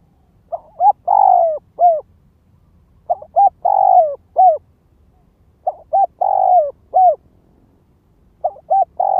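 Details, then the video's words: Spotted dove used as a ground lure bird, cooing to provoke and draw in wild doves: four phrases of low hollow coos, each two short notes then a long drawn-out downslurred coo and a final clipped note, repeated about every two and a half seconds. "Tiếng chim cu gáy mồi đất Gáy Gọi Thúc Kích Bổi"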